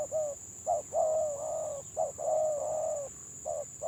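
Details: Spotted dove of the gagap (stutter) song style cooing. Short clipped coos are mixed with long, drawn-out level coos in an uneven, halting rhythm over a constant high thin whine.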